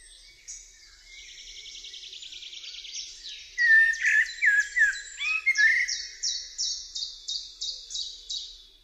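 A Eurasian blackbird sings a rich, varied phrase: thin high trills, then warbled mid-pitched notes, ending in a fast series of high chirps, about three per second.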